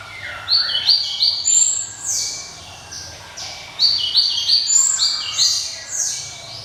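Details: Java sparrow pouring out a ringing song of clipped high notes, thin whistles and short slurs in uneven bursts, loud clusters separated by brief quieter gaps.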